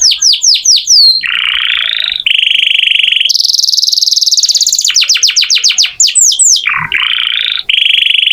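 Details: Canary in full, lively song as tutor audio for magpie-robins: quick downslurred whistles give way to long buzzy rolls at mid and high pitch, alternating with bursts of rapid descending notes.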